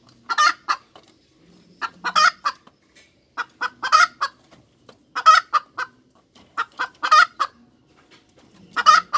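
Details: Hens cackling: bursts of harsh, broadband clucks in irregular groups of two to four, roughly every second or two, with quiet gaps and a faint low hum between bursts.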